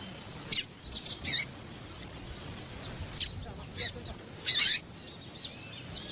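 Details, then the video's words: Calling female papa-capim, whose calls are used to get males worked up and singing: brief high chips at uneven intervals, with a tight cluster near the start and a longer burst later, over faint background hiss. "Fêmea de papa capim louca piadeira levanta até defunto !"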